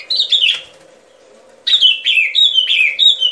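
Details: Sooty-headed bulbul lure song for trapping: one slurred whistled phrase, a second of quiet, then three bright, bubbly downward-sliding whistles in quick succession over a faint hum.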